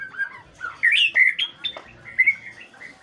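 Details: Morning song of a white-rumped shama, a rich string of fluty whistled notes with quick up-and-down slurs, a few louder emphatic syllables near the middle, delivered almost without pause.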